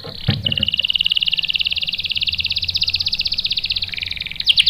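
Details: Canary lure song meant to make canaries reply with a roll: one sustained, fast, buzzy trill of evenly repeated pulses lasting several seconds, with faint background hum.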